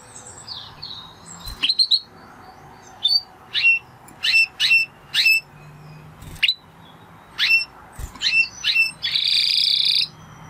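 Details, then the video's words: A Spanish Timbrado canary gives scattered sharp chips separated by pauses, closing with a short dense trill. "Canary Sound Effect - Canary Singing Video"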